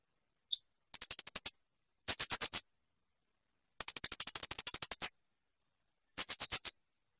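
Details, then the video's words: Blue-crowned hanging parrot song, used as a training recording for caged birds: a single short high note, then four bursts of rapid, shrill, very high ticking notes, some long runs, others brief, with silence between. "Lagu jernih SUARA BURUNG SRINDIT."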